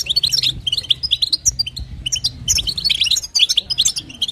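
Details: Twittering calls of a female European goldfinch meant to stimulate the male, in 'batbata' and 'sitsita' style: dense, bright, liquid chirps in fast clusters, with a faint low hum beneath.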